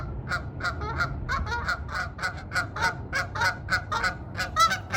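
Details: Canada geese at a duck pond in Arizona, where there are almost as many geese as ducks. Loud nasal honks come in quick succession, nearly two a second, overlapping from several birds, over a low rumbling background.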